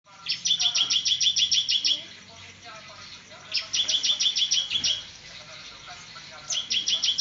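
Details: Bar-winged prinia singing in the semi ngebrem style: bright, rapid runs of high ticking notes, about eight per second, in bursts lasting one to two seconds with short pauses, over a faint background hum.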